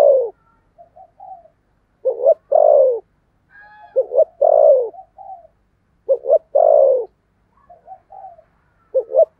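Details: Decoy spotted dove with 'thổ' voice calling to lure birds: four phrases about every two seconds, each a double short coo and a drawn-out falling coo, soft low notes filling the gaps.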